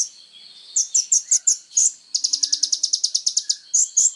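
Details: Singing kolibri ninja, or Van Hasselt's sunbird, offered as songbird training material: a few bright high chirps, then a rapid rattling run of closely packed ticks, finishing with two louder chirps.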